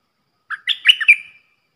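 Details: Three-part song of a red-whiskered bulbul decoy with rapid flourishes, played so young birds copy it and wild birds come: a quick sequence of five bouncy, fluty whistles, the last slightly drawn out, quiet surroundings.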